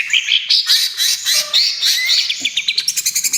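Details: Cucak ijo trotol, greater green leafbird, sings to lure and soothe other birds: scratchy mixed warbling with rising whistles, ending in a fast even series of clicking pulses.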